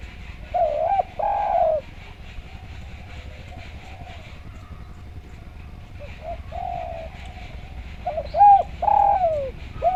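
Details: Spotted dove cooing used as training song: soft hollow coo phrases at the start and end with a quiet gap between, over a constant low rumbling background noise.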